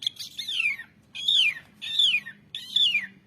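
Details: Asian pied starling, recorded for training songbirds, giving four harsh, buzzy phrases that slur downward in pitch, one roughly every three-quarters of a second, with a faint low hum beneath.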